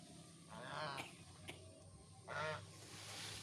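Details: In an oil palm garden, a goose gives two loud, harsh, nasal honks a little over a second apart while boldly chasing off a langur.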